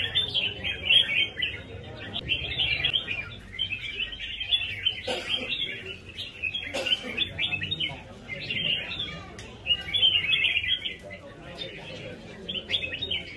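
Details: Red-whiskered bulbul with a rhythmic fighting-style song: rapid bubbly chirps, roughly four per second, in continuous flowing phrases, broken by two sharp clicks or knocks midway.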